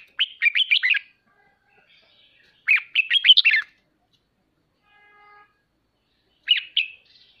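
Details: Red-whiskered bulbul, ché-style singing used to train home birds: three separate phrases of rapid, bouncy whistled notes, each lasting about a second, with silence between and a faint hum midway.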